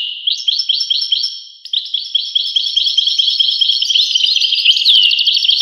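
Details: European goldfinch delivering a string of evenly spaced high chirps, then a busier tumbling twitter that grows louder and finishes with a slurred downward note.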